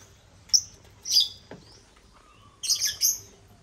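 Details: African lovebirds (Agapornis) on a millet crane toy: high squeaky chirps, a short sliding note, then a dense burst of overlapping shrill twitters.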